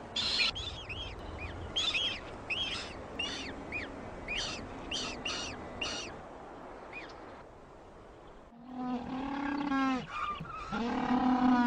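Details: Penguins, males incubating the eggs of future offspring, in a calling colony: a run of short harmonic notes with rising and falling pitch for about six seconds, a brief lull, then louder, longer overlapping calls.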